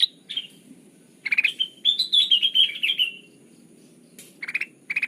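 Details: Sooty-headed bulbul calls used as a trapping lure: scattered short notes lead into a longer, wavering, warbled phrase that slowly falls in pitch, then silence, then renewed bursts of rapid notes.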